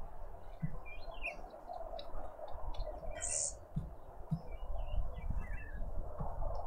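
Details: Birds in a Pretoria suburban garden in South Africa, visiting a feeder: quick, scattered high chirps and twittering phrases, with one brief sharp squeak burst midway, over a constant low hum of background noise.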